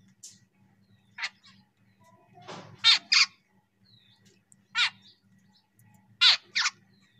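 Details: Jungle babbler with young, a mother feeding her baby; harsh squeaky calls in short bursts, some paired, spaced about a second or more apart, over a faint low hum.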